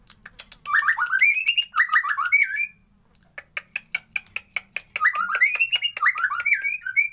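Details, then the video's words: Unedited white-rumped shama song used to rouse lazy birds into breeding condition: tumbling rising whistle phrases, a series of sharp clicking notes about three a second, then more looping whistles. "Pancingan Murai Malas Bunyi Agar Birahi"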